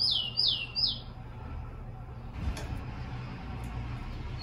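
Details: Captive tico-tico giving three quick downslurred whistles of its fast encarte song, meant for training birds to sing, followed by a stretch of broadband rumbling noise.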